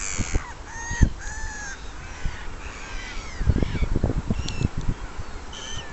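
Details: Common sandpiper at the Ría do Burgo estuary in 2006, giving thin, high whistled notes in short bursts, some slightly slurred, over low rumbling wind or handling thumps.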